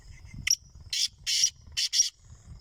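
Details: Rare, alert black francolin kept by a keeper calls with a series of five harsh, rasping bursts, short then longer, with soft low rumbling noise and a steady thin high tone behind.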